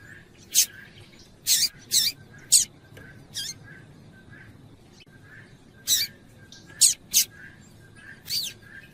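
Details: A female double-collared seedeater chips to excite a male. Nine quick, high, harsh notes come in loose clusters, some paired, with soft twittering from another bird in the background.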